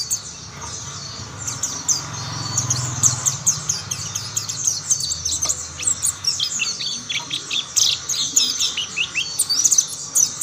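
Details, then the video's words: Mountain white-eyes answering one another in song, more birds joining in; dense flurries of high, sharp twittering notes and quick slurred whistles, steady through the stretch, with a soft low hum underneath. "Tidak butuh waktu lama pleci Monty lain pasti ikut bunyi"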